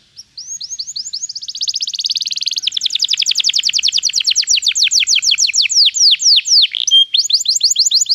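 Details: Canary song used in training a canary to sing: a long accelerating rolling trill of rapid high notes builds in volume, breaking into quicker falling slurs toward the end.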